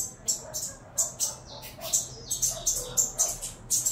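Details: Saffron finch nestlings, captive offspring of a Venezuelan cross, begging during feeding with separate sharp, scratchy high squeaks and rasps, roughly 82 a minute, some with thin whistled edges.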